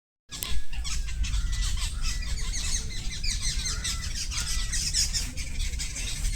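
A busy chorus of birds chirps continuously, with many high, quick overlapping notes over a steady low rumble like wind.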